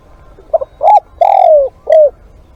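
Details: Spotted dove calling as a live decoy, with one four-note cooing phrase: a soft short coo, a rounded coo, a long coo gliding down in pitch, and a short falling final note, over a low steady background rumble.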